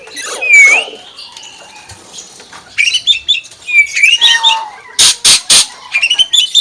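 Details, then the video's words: Common hill myna mimicking a chicken: clear rising whistles and scratchy chatter, then three loud harsh bursts in quick succession near the end, followed by short bright chirps. "BURUNG BEO SUARA AYAM"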